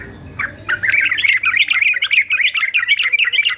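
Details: Fighter male yellow-vented bulbul, a bird kept for song training, delivers a fast continuous run of liquid, chattering warbled notes after one short opening note, the phrase rippling up and down without pause.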